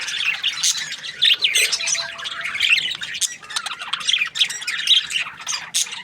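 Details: Budgerigar happily chirping, with quick scratchy twitters and higher piping squeaks mixed together in an unbroken stream of chatter.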